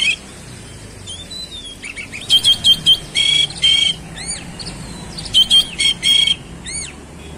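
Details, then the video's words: Oriental magpie-robin delivering loud, buzzy rasping notes repeated in a steady series, broken by curved whistled slurs and soft chirps, over a low steady hum. "KACER SUPER GACOR ROLL SPEED BONGKAR ISIAN"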